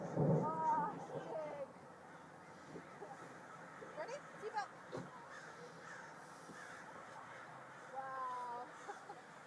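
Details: Swarm of crows descending on a local mall: harsh cawing calls with stacked harmonics, a loud burst at the start and another near the end, scattered calls between, over voices and a low urban rumble.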